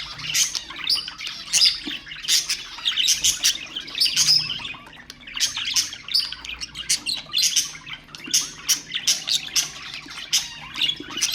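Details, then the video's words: Loud, dense budgerigar chatter fills the recording: rapid pulsing chirps and squeaky warbles come in rhythmic bursts, almost without pause, offered to stimulate other pet birds. "اقوى أصوات طيور البادجي طيور الزينة أصوات تحفيز الطيور"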